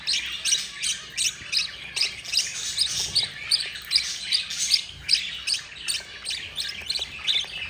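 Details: Begging from four young budgerigars as their yellow mother feeds them: fast, even, hoarse rasping pulses, close to three per second, sustained without a break.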